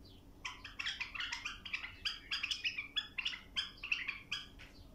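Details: Bulbul song played for tutoring young birds to sing: a dense run of bright, chattering warbled notes, closely packed and uneven, continuing for several seconds over a faint low hum.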